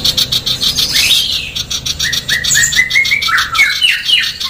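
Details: Vocal female sooty-headed bulbul, a tutor recording for songbirds: a lively string of short clear whistled notes at a fast, close-set pace, gently rising and falling, with a steady rapid rasping chatter behind.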